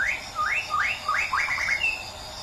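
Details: White-rumped shama from Medan giving clear whistled notes, each rising then flattening, repeated several times before a steady high whistle, over a faint background hiss.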